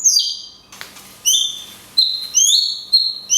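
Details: Cungkok performing 'tembakan kunti panjang', a recording used to teach songbirds. Clear falling whistles and paired rising and level notes come in quick succession, each sharply separated.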